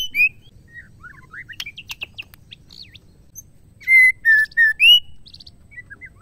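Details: Singing female white-rumped shama, played to provoke males to sing. Short rising whistles and scattered sharp chips and varied notes, then a bold series of loud clear whistles, level and upslurred, with faint low background hum.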